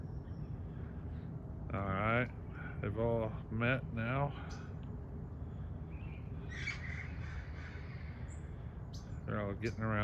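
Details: Indian peafowl peahens trading contact calls with a lost peachick that has joined two hens: a series of short, harsh, harmonic honks in bursts, with a man talking and low background rumble.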